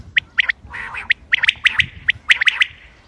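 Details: Common quail, recorded 28 May 2025 for hunting: loud, crisp pips in groups of two or three are separated by a short breathy nasal sound, with a clean and quiet background.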